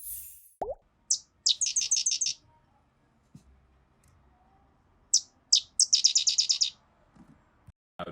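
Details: Sedge wren (Cistothorus stellaris) sings twice: a couple of sharp introductory chips, then a fast, dry, high chatter of about seven notes. Soft low knocks come between phrases.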